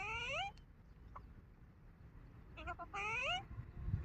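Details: Indoor pet Alexandrine parrot talking: two rising, nasal, speech-like utterances about three seconds apart, over a low background rumble, amid hello and I love you exchanges.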